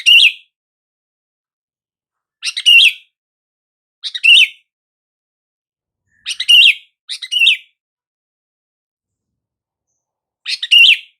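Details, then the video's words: Sooty-headed bulbul giving a calling sound said to make silent bulbuls respond at once: six short, chirpy, slurred phrases repeated at irregular intervals of one to four seconds. "SUARA PANGGILAN BURUNG KUTILANG , TERBUKTI AMPUH BIKIN KUTILANG BISU LANGSUNG RESPON"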